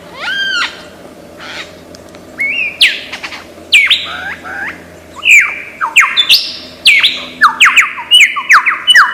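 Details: Varied imitative singing of a lyrebird from Australian forests: stacked down-slurred notes, rasping bursts, then a fast series of bright falling whistles and chips, increasingly dense toward the end, over a low hum.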